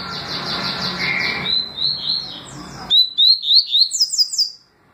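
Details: Double-collared seedeater singing in its 'tui tui' and 'deputado' song styles: rapid series of high, clear whistled notes, each a short rising slur, repeated about four times a second, with a faint background hum early on.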